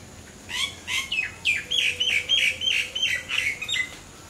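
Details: Common myna singing non-stop in varied melodies: a run of harsh chirps and whistled, rising-falling notes repeated about three times a second, steady and loud throughout.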